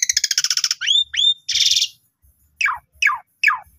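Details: Asian pied starling youngsters singing as training material for other starlings: a rapid rattle, two upslurred whistles, a broad buzzy burst, then three descending slurred notes spaced evenly.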